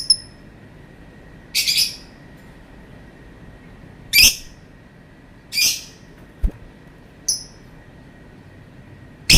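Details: Lovebird giving scattered harsh, shrill screeches and short high chirps separated by pauses of one to two seconds, with a couple of faint clicks in between.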